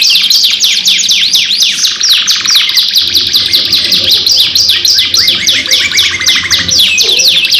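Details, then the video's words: Canary lure song by two birds, long and lively: rapid cascades of high descending sweeps, a rolling buzzy trill, then more quick chips, nonstop. "PANCINGAN KENARI GACOR PANJANG 2 IN 1 | CANARY SINGING"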